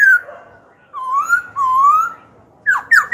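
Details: Black-throated laughingthrush song for provoking rival birds and training young birds: a falling whistle, two long, smooth rising whistles, then three quick sharp downslurred notes at the end.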